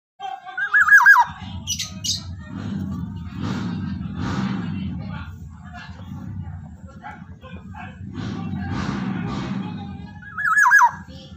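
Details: Black-naped oriole, a Javan golden oriole, singing loudly in the morning: two short fluty, wavering whistled phrases, one near the start and one near the end, separated by a long stretch of low droning rumble and murmuring background noise.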